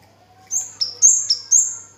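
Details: Orange-headed thrush, known locally as kemade or cigen, singing constantly: a quick run of high, clear whistled notes that alternate between two pitches, each sliding slightly downward. A faint low hum sits underneath.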